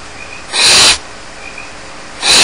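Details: Barn owl chicks home alone at Starr Ranch. One long, loud snoring hiss is followed by the start of another, with low steady background noise between.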